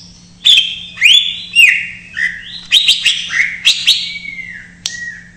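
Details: Greater green leafbird giving an isian song used to trigger untrained or silent birds: loud slurred whistles sweeping down and up, about two per second, then descending clear notes, with a low electrical hum.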